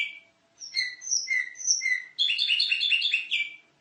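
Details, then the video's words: Canary master song for vocal coaching of other birds: several long clear whistles stepping between high and lower pitches, then a rapid rattling trill of bright repeated notes ending in a falling slur. "Masteran Kenari Gacor ||| Kicauan Merdu"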